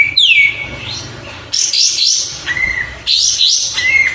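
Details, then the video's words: Oriental white-eye song: loud descending slurred whistle, then bursts of high warbling and short flat whistled notes repeated between pauses, over a steady background hiss. "Suara Burung Kapas Tembak"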